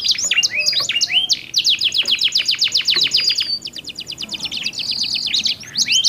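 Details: Two canaries exchange song to coax other canaries into singing; rapid evenly spaced trills, a dry buzzy rattle, a steady high whistle, and scattered sweeping phrases with short pauses.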